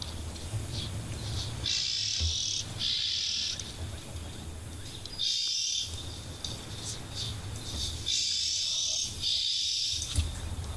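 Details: At an African waterhole on 24 September 2025, red-billed oxpeckers call busily: harsh, hissing buzzes in bursts of a second or two, a few seconds apart, over a low rumble of wind.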